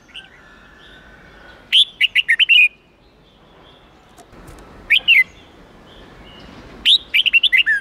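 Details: Training song of a red-whiskered bulbul in the 8-9-10 note wild style for young birds to copy; three separate phrases of fast, crisp whistled notes with quiet pauses between them.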